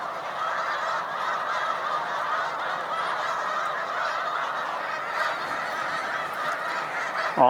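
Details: Snow Geese in big flocks on Cayuga Lake, New York, at a spring migration stopover, 20 March 2021: a thick, ceaseless chorus of honking voices, ending with one loud nearby call.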